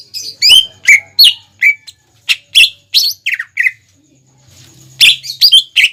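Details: Energetic greater green leafbird song offered as a lure for young birds to imitate. Loud, clipped whistles and chirps sweep downward in an irregular sequence, followed by a short gap and a dense cluster of higher, harsher notes.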